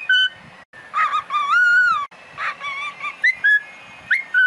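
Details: Pet cockatiel song: long, pure whistled notes that swoop gently up and down, broken by brief chirps and short rising whistles.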